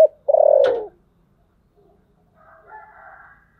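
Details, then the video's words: One long, husky, falling coo from a spotted dove of the thổ sấm voice type, followed by faint, softer background chatter. "cu gáy giọng thổ sấm"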